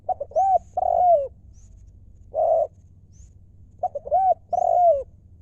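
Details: Cooing spotted dove: clipped introductory notes and long curved coos, repeated in a steady sequence against a faint low rumble.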